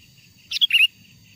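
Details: Wild sooty-headed bulbul song played to attract wild birds: a single brisk phrase, a short chip then two bright slurred whistled notes in quick succession, clear over a faint low hum.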